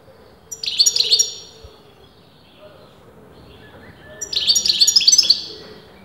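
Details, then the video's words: Continuous European goldfinch song from a bird that breeders argued over as male or female: two bursts of quick, high, tinkling twitters separated by about three seconds of near silence with faint background hiss. "غناء متواصل لمقنين"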